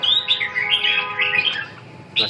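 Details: Red-whiskered bulbul at a singing competition, delivering a lively, continuous warbling phrase of chirps that dips in the middle and then resumes with a sharp burst, with a faint steady hum underneath.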